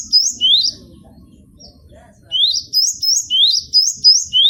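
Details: Caged cinereous tit, used as a tutor recording: clear, high rising whistled notes in repeated pairs, a gap with faint low murmur, then a steady string of notes about three per second.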